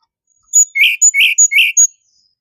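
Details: Sunda robin singing a short phrase of paired notes, each a thin high whistle followed by a buzzy lower chirp, repeated four times in quick rhythm.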